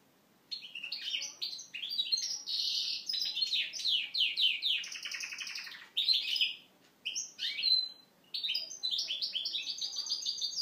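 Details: A canary from Moknine, trained on goldfinch song, sings a fast, goldfinch-style song of bright twitters, rolling trills and buzzy passages, broken by a few brief pauses, with no other sounds.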